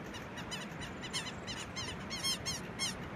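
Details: A pair of Southern lapwings give harsh, strident, rapidly repeated notes in several loud bursts while chasing off an intruding bird, over a low background rumble.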